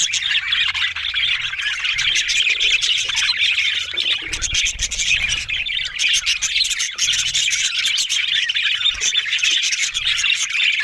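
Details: Many budgies keep up a constant raspy, buzzy chatter mixed with squeaky chirps, loud and even for the whole stretch, with faint low thuds in the background.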